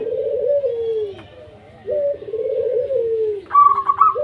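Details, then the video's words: Zebra dove of the local wild type, sung to prompt reluctant doves: long wavering low coos slurring downward, then a brief higher burst of quick stuttering notes near the end. "Perkutut Lokal Gacor 100% JITU Ajak Perkutut Malas Bunyi"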